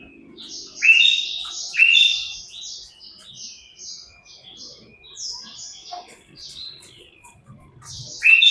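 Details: Common iora female call, used to lure birds: a string of bright chirps and short slurred whistles, mostly high-pitched, with loud strong notes near the start and again at the very end.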